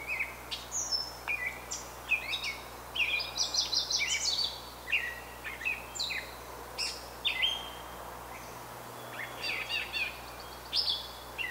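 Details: Brown thrasher in Canada delivering a lively, nearly continuous medley of chirps, trills and whistled slurs, phrases shifting pitch constantly across about eleven seconds over a soft background hiss.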